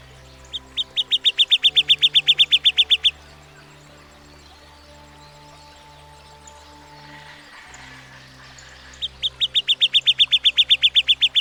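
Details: Northern Cardinal in a backyard delivering two rapid trills of sharp, even chip notes, about ten per second and each lasting two to three seconds, separated by a long quiet gap with faint low hum.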